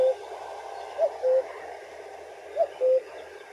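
A common cuckoo gives its familiar two-note 'cu-coo', a higher note dropping to a longer lower one, twice in about three seconds over a soft hiss.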